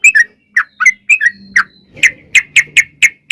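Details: Sooty-headed bulbul used as a lure to get other birds singing: a few irregular whistled chirps, then evenly spaced sharp notes about four per second, over a faint low hum.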